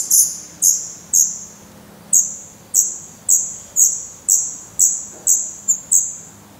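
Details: Nestling black redstarts calling from the nest in Portugal in mid-May 2020, recorded close up: a run of high, piercing squeaks, several quickly, a short pause, then a steady series of about eight more.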